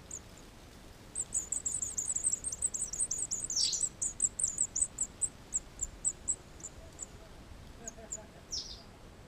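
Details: White wagtail at its nest in a wall at Sofrino on 13 July 2014, flying in to feed: very high, thin chirps in a quick run, then slowing to spaced single notes, with a soft hiss behind.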